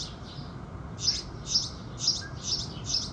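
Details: Sunrise song of house sparrows: a quiet start, then five bright chirps in quick, fairly even succession, over low steady rumble.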